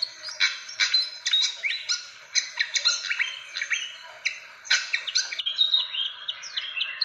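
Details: Recording of fantail calls used as a lure for birds: vigorous, high-pitched chattering bursts of clipped notes and brief whistles, repeated with short gaps.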